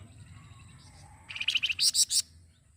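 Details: Master song of a flamboyan, kept as a model for teaching other songbirds: faint high whistles, then a quick stuttering trill rising into several loud, very high, sharp chirps, over a low steady background hum.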